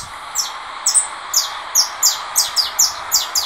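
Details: Caged saffron finch of the russo song style, coming out of moult, singing against a canary played from another phone. It gives a steady series of high, sharp down-slurred notes, about three per second, over a hum and background noise.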